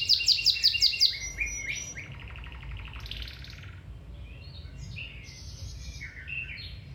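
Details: Domestic canary song for training a canary to sing: a burst of very fast high repeated notes, then quieter rolling trills and scattered whistled phrases over a faint low background hum.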